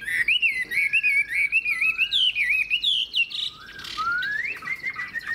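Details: Long-bodied, wild-caught adult hwamei with a fig-leaf tail sings choppy, fast wavering whistles, shifting pitch between phrases, ending with rising slurred notes.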